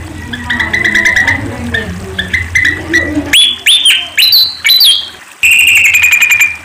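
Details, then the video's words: Sunda pied fantail song, kept for training songbirds and luring: repeated chirps with low cooing open the passage, then loud clear upslurred whistles, quick rising-and-falling sweet notes, and a long high steady whistle to close. "Suara Burung Kipasan | Bird Sound Rhipidura javanica"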